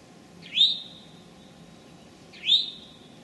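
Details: In late morning on May 25, 2011, in forest in Sudbury or Marlborough, Massachusetts, an Eastern Towhee gives two high whistled notes about two seconds apart, each opening with a quick upward slur and ending in a drawn-out whistle over a faint low hum.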